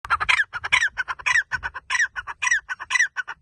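Grey francolin giving a loud, harsh, rattling call: a strong shrill note followed by quicker grating syllables, repeated about twice a second.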